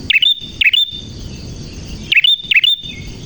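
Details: Bright prinia chirps in clear voice, aimed at getting young forest-caught birds singing: two pairs of sharp, down-up swept notes separated by a quiet gap, with a steady high whine throughout.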